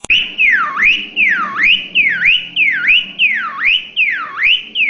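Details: Cockatiel whistling in imitation of a siren: loud, clear whistled notes sweeping down then up in repeated V-shaped wails, about six cycles in five seconds, steady rhythm, with no other notable sounds.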